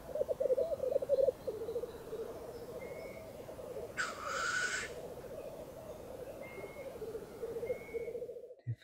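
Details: Several black grouse males, at least five or six, lekking at dawn on a bog, heard from a hide at -6 °C with frost, sunshine and no wind. A continuous low, bubbling, rolling chorus is broken by one loud hissing sneeze, with a few thin whistles from other birds.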